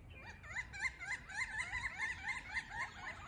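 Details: Three pileated woodpeckers on a large oak tree calling to one another: a rapid run of clear, slightly upslurred wuk notes, about four per second, rising and falling in loudness.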